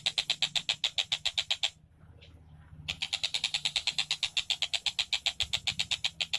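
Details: Tengkek Buto kingfisher in full song, rapid high repeated notes at roughly four a second, broken by a short silence near the middle before the quick series resumes; faint low hum underneath.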